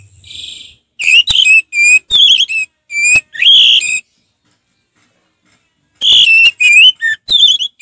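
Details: Orange-headed thrush, a kept songbird, singing in a relaxed style; bursts of loud high whistled notes with sharp clicks, a silent gap of about two seconds, then more whistled phrases.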